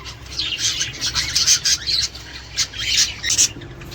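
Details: Budgerigar song aimed at stimulating breeding and laying; rapid scratchy twitters and bright chirps in pulsing bursts about every half second, over faint low hum.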